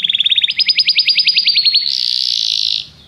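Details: Singing Belgian canary delivers a fast run of rapidly repeated rising notes, about seventeen in under two seconds, that ends in a bright, rolling, continuous trill.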